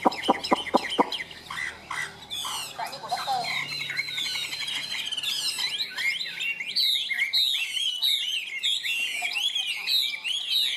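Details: Kept Chinese hwamei, a sturdy yellow-legged cage bird known as a good singer, starts with several loud sharp knocks and clicks, then launches into continuous loud warbling with looping, bouncing whistled phrases.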